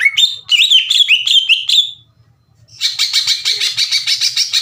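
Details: Greater green leafbird, caged, singing loudly and aggressively as a challenge to rival leafbirds; rapid chain of upslurred whistles about three per second, a short silence, then a dense buzzy trill pulsing evenly.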